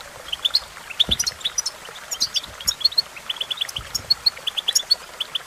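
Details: European goldfinch training song: lively chattering series of quick high chirps and repeated short notes, with a couple of soft low knocks.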